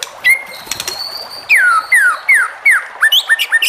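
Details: White-rumped shama song meant to make other shamas respond: a long level whistle, then a series of five loud whistles sweeping downward, ending in shorter rising notes.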